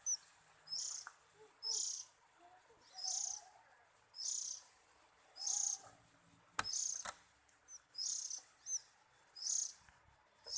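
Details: Oriental magpie-robin, described as relaxed and enjoying itself, gives harsh, hissing high bursts repeated about once a second with soft low chirps between; two sharp clicks near the end.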